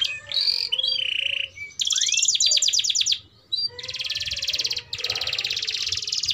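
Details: Canary song phrases for young canaries to learn from: a short held whistle, a buzzy burst, a brief pause, then two long dense rattling trills, with low background hum.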